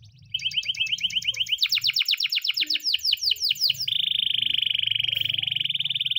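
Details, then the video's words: Canary training song in the morning: a doubled rapid trill, a run of fast descending whistled notes, then a long steady buzzing roll. A low hum sits beneath. "the best canary training song in the morning!!"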